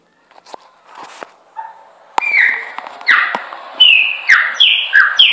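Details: Chopi blackbird singing, used as a training song for other birds. Faint scattered notes open, then loud clear whistles sliding downward, repeated roughly every half second.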